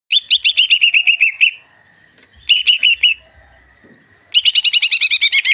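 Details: Greater green leafbird song: three bursts of rapid, evenly repeated clear whistled notes that slur gently downward, separated by short pauses, with faint background rustling between phrases.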